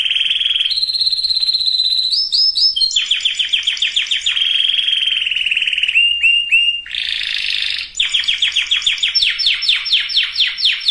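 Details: Singing canary, song meant to get males and females ready for breeding; loud changing tours of steady buzzy trills at different pitches broken by fast falling sweep series, continuous for eleven seconds.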